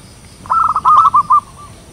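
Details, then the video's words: Zebra dove, local perkutut type, singing a loud ngayer phrase used as a lure for wild birds: a rapid stutter of clipped, even-pitched coos that ends in a slightly drawn-out final note. "perkutut lokal suara besar ngayer saling pikat paling ampuh"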